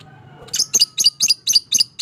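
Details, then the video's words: Fighter lovebird giving its long chattering 'ngekek panjang' song, played to stimulate silent lovebirds: shrill, harsh notes repeated steadily about four times a second. A faint low hum lies underneath. "Suara Burung LOVEBIRD FIGHTER Ngekek Panjang, Terapy PERANGSANG Lovebird MALAS BUNYI"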